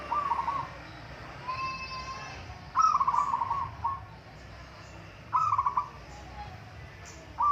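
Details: Zebra dove of a local strain competing in a song contest: repeated rolling, stuttering coo phrases every couple of seconds, each opening with a brief note and breaking into a quick bubbling trill, with quieter coos between.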